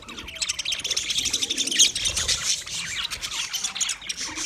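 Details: Several budgerigars chirp at once, fast high twittering with quick repeated notes, about four per second, and occasional sharper squeaks rising above the chatter.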